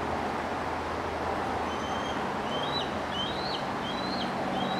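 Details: On a cool, pleasant July evening at Turtle Bay, a young bald eagle perched in a tree near its mother gives thin, high, whistled chirps, then several quick inflected notes, over wind and distant traffic.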